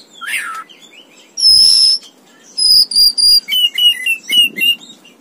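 An Oriental magpie-robin sings loud, varied phrases: pure high whistles, then a quick series of short, bright notes repeated several times.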